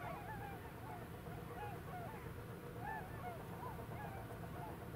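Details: Tundra swans passing in a flock above Brandwijk village, Alblasserwaard, the Netherlands: fainter, scattered yelping and crooning notes from several birds, spaced irregularly through the clip against constant low-pitched background rumble.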